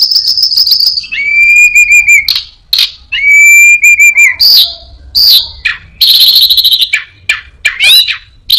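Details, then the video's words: High whistle opening a varied orange-headed thrush song: two long, slightly falling whistled notes with rich overtones, then a jumble of buzzy bursts, clicks and sliding chirps, imitating prinia, cirtu, a cat and other birds. "burung Anis binbin gacor isian perenjak,kucing,cirtu,dan burung lainya"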